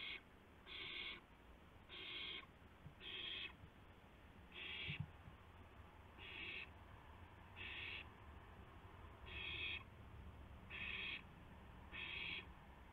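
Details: Owl at a live-camera nest at 2:51 AM on 2 April 2016, one owl bringing a gopher to another; steady run of about eleven short raspy screeches, roughly one per second, with low rumbling noise underneath.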